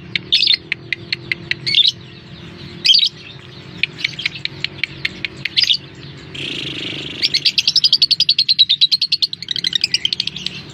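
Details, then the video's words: Lovebird lure call to make other lovebirds answer: irregular high squeaks and ticks, then a fast, steady rattle of sharp chirps from about seven seconds, ending in warbling chatter. "Suara pancingan burung lovebird, dalam 30 detik lovebird anda pasti respon."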